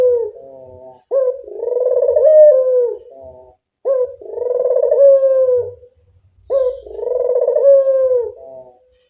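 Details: Three purring coos from a local collared dove used as a lure call, each a short harsh lead-in then a long trembling note that dips at the end, spaced about two and a half seconds apart.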